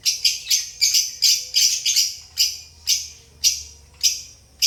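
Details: Relaxed pet lovebirds repeat bright, shrill chirps at a steady pace, the notes coming about every quarter second at first and then spacing out to around half-second intervals.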